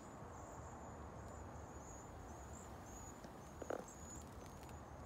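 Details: Cedar waxwing calls during migration before a freeze in San Antonio, Texas: a steady chain of faint, very high, wavering seee notes. A brief rattling knock comes near the end over a constant low hum.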